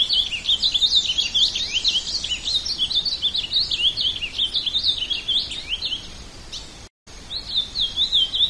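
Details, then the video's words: Ultramarine grosbeak (azulão) sings a rich, high warble of quick slurred notes, rising and falling almost without pause, with one brief break near the end; Ultramarine grosbeak. "Canto do Azulão"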